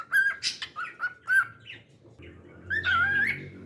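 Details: Pet cockatiel singing in short whistled notes, a few buzzy chirps, then a longer rising and falling warbled whistle at the end.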